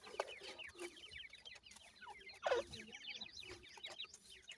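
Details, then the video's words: Grey francolin chicks, seven days old, feed amid a stream of high, rapid peeps; one louder, harsher burst stands out halfway through. "Voice of Gray Francolin Pheasant bird Chicks"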